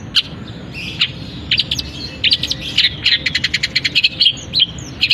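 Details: Long-tailed shrike, kept in a cage, singing a dense mimicry song with canary and other birds' phrases: buzzy chattering bursts and quick strings of high sharp ticks, almost without pause.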